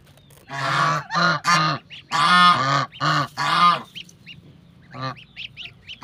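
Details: Mother domestic goose with her goslings on a farm, giving a series of loud nasal honks in quick bursts, six close together, then a pause and one more, with thin high gosling peeps in between.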